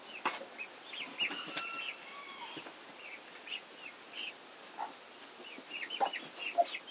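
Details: Hen and chicks, chickens: a busy chorus of short, high, rising peeps from several chicks, with a few lower soft clucking notes mixed in and some light rustling.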